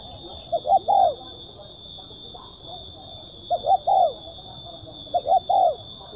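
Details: Crisp, sharp-voiced spotted dove of the kuk 1 type, delivering three coo phrases of two clipped notes plus a longer falling coo, separated by pauses of one to two seconds, with a constant high electronic whine.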